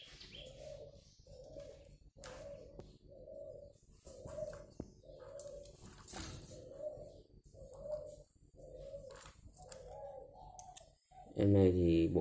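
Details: Captive spotted dove offered for sale in Ba Vi, Hanoi, Vietnam, described as having a very mature voice and just cooing: a long series of low hollow coos repeated about once a second, with a louder burst at the end and faint chirps.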